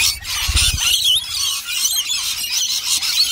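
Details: Many rainbow lorikeets in a feeding frenzy at a bowl of nectar made from dry nectar powder, honey and warm water; a dense, loud wall of shrill screeching and squealing chatter, continuous throughout, with a few low thumps early on.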